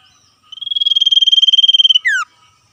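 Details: Common iora (sirtu) in the wild, singing its 'ngetir' song while calling back and forth with wild birds: a high, rapidly pulsed trill held on one pitch for about a second and a half, closing with a quick downward-sliding whistle.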